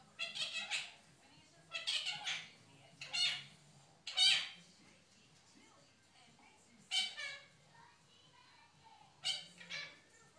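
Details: Six-month-old female Quaker (monk) parrot, a pet recorded secretly indoors while talking to the dog. Six short, bright, raspy bursts of chattering voice with stacked harmonics come one to three seconds apart against a quiet room.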